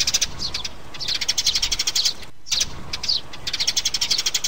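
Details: Sparrow mother and chicks, a recording played to lure birds into traps: dense, rapid high chirps in bursts of about a second, broken by a brief silent gap midway, then resuming in quick trills.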